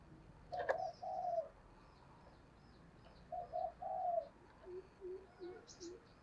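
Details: Spotted dove kept as a decoy bird to lure wild doves; two soft cooing phrases, then a run of lower, shorter notes, against a steady hiss of background noise.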